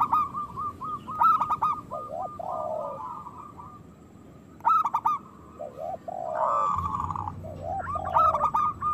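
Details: Loud rolling phrases from local zebra doves recur every few seconds, interleaved with deeper descending coos and a low steady hum late on. Used to encourage lazy doves to sing and breed.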